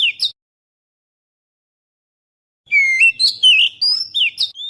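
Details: Oriental magpie-robin lure song for attracting birds, recorded with a GoPro Hero: a short falling whistle, a long silence, then a rapid run of varied whistled slurs and chirps, rising and falling, some sweeping upward.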